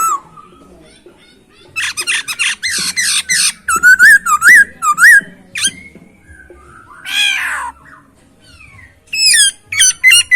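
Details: Masked laughingthrush, called Poksay Hongkong, singing a clear, rich isian song: loud harmonic whistled notes with wavy, warbling contours, delivered in quick bursts separated by short pauses, with a rasping squawk near the middle and a faint background hum.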